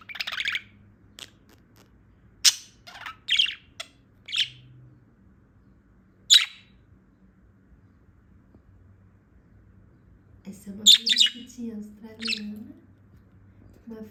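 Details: Female budgerigar that has just woken gives scattered harsh chirps and short chatters with silent stretches between, while a woman speaks softly toward the end.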